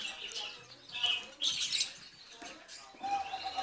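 Crimson rosellas give a run of bright, high chattering and whistled notes, with a few louder bursts close together and softer calls between.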